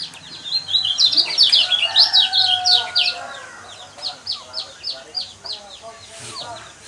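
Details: Song of a yellow white-eye, used to trigger singing in caged birds: a brisk burst of high tumbling twitters, then a steady series of short, evenly spaced chirps.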